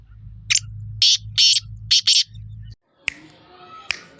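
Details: Black francolin, 23 February 2025: a loud series of five scratchy, buzzy notes over steady low engine-like hum. Sharp clicks and a broader noisy background follow after a brief silence.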